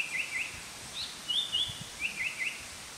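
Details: A Japanese paradise flycatcher calling overhead, 5 July 2019, gives soft, high chirps in small clusters of two or three, fairly faint over a steady background hiss.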